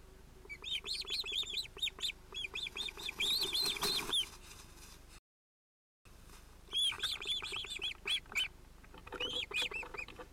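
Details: Osprey at a nest with two chicks, probably males, on 31 July 2018, a chick interrupting the adult pair. Series of high, arched, whistled calls repeated several times a second, a short silent break midway, then more calling.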